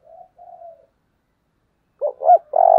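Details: Spotted dove used as a decoy to provoke wild birds: two soft, faint level coos, a pause, then a loud phrase of two short rising-falling notes and a long buzzy drawn-out coo.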